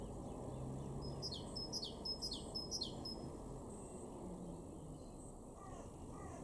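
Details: March 2023 garden recording from Weener in East Frisia, far northwest Germany: a great tit gives four rhythmic two-note phrases, high whistle falling to a lower slur, roughly twice per second, followed by low steady noise and faint other chirps.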